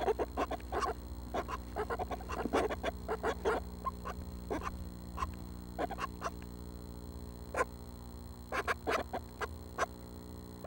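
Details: At 6am on June 12, Northern Flicker nestlings, seven young expected to leave the nest within the week, produce scattered raspy bursts, busiest in the first four seconds, then sparser pairs and triplets, over steady hum.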